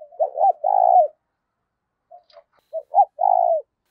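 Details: Phrases from a decoy spotted dove that draws wild doves: quick double notes lead into a drawn-out, rough, falling coo. A pause with faint clicks comes before the phrase repeats.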